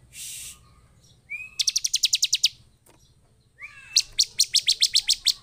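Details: Bar-winged prinia in agitated song, each phrase a thin rising whistle leading into a rapid train of about nine to ten sharp high chips, with a brief hiss at the start.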